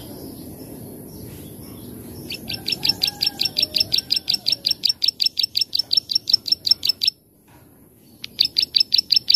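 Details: Plain prinia (ciblek sawah) singing a lively song used as a training recording for other birds: long series of sharp, high, dry ticking notes repeated about five times a second, a brief pause, then the clicking series resumes.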